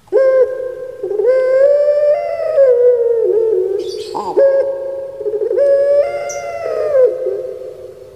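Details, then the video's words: Caged turtle dove of the puter pelung type, kept in Java, Indonesia, giving loud, long-drawn, resonant coos with sliding pitch. Several sustained phrases rise and fall, and a brief harsh burst occurs midway. "Puter Pulung Suara Gemanya Bikin Lupa Diri"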